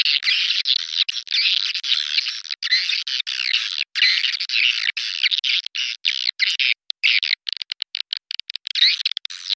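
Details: Lure sound for attracting swiftlets into a bird house: almost unbroken rasping, chattering twitter high in pitch, later breaking into rapid separate clicks and short buzzy notes.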